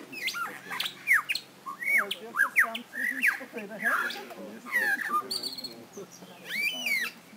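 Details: Lyrebird at Healesville Sanctuary mimicking various sounds: a fast run of varied whistled notes, sharp downslurs and upswept chirps with brief pauses between phrases, ending in an arched ringing whistle; low murmur in the background.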